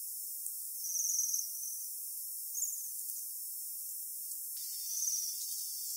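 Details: Japanese waxwing, a winter visitor at Saiko in Saitama, Japan, gives three thin, very high, trilled sirrr calls, each under a second long and spaced one to two seconds apart, over faint hiss.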